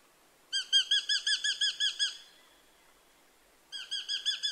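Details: Eurasian hobby giving a rapid string of around a dozen clear, metallic 'kew' notes at a steady pace, then a short silence before a second string starts. Quiet background.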